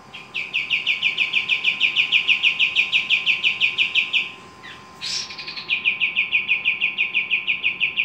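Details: Javan kingfisher calling keenly: a fast, regular, high-pitched rattle for four seconds, a short pause with a sharp harsh burst, then the rattle resumes at the same quick, even pace.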